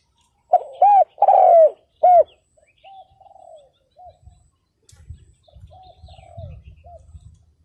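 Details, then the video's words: Spotted dove used as a decoy to lure wild males, giving one loud phrase of arched and falling coos, followed by fainter answering coos and low rustling noise. "CHIM CU GÁY MỒI ĐẤT KÍCH BỔI CỰC SUNG"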